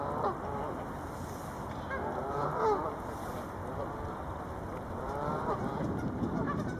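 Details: Canada geese feeding in West Park, Wolverhampton, on 14 February 2011; several geese give short nasal honks with stacked harmonics, bunched near the middle and end, over a steady low background rumble.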